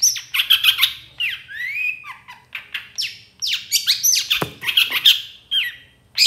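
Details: Long-tailed shrike singing, played as a lure to make reluctant shrikes answer and sing; a fast, varied run of whistled slides, harsh buzzy bursts and sharp high chirps in quick, tight phrases over a faint low hum.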